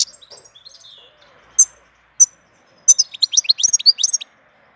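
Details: April goldfinch song: a few soft high notes and sharp single chirps, then a lively burst of quick, liquid twittering notes rising and falling.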